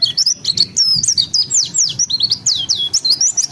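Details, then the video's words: Pleci, a white-eye kept as a cage bird in Indonesia, singing open-beaked in ngeroll style. Quick high twitters and swooping downward slurs run together in a lively, unbroken warble over faint low background noise. "Pleci Gacor Ngalas Ngeroll (Zosterops)"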